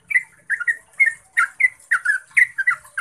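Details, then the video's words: Long clear rapid song of a yellow-vented bulbul (trucukan), offered as a lure to train bulbuls to sing. Rich, slurred chirps arrive in quick uneven clusters, twisting up and down, with a soft high hiss throughout. "Suara Trucukan Ropel Panjang Jernih AMPUH untuk PANCINGAN Trucuk Biar Gacor"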